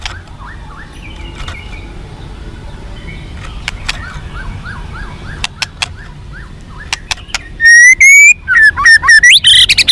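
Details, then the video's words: White-rumped shama fighter song to stir captive birds: faint distant warbled notes and a few ticks at first, then loud, clear rising whistles and rapid slurred phrases near the end. "SUARA BURUNG MURAI BATU FIGHTER"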